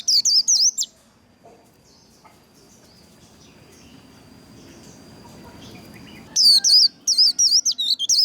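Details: White-eye singing a fighting trill song (líu đấu), played to fire up and train singing: bursts of rapid high looping whistled notes at start and end, separated by several seconds of quiet with faint background hiss.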